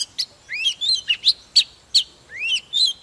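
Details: Wild-caught old Oriental magpie-robin in a fired-up state, singing and displaying: loud, varied whistled phrases with rising sweeps and sharp high notes, each about a third of a second, in quick succession.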